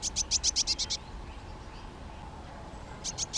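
A European greenfinch gives a quick trill of about eight high, bright notes in one second, then starts another after a short pause, over a faint steady hum.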